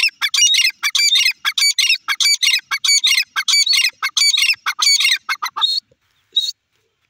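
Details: Young grey francolin (desi teetar) gives rapid, harsh, high-pitched grating notes in quick bursts for about five seconds, then two last isolated squeaky notes.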